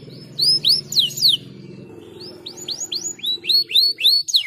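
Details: Caged canary singing, used to encourage other singing: bright, sharply curved whistled notes in short bursts, a brief pause, then a quickening run of hooked chirps, with a low hum underneath.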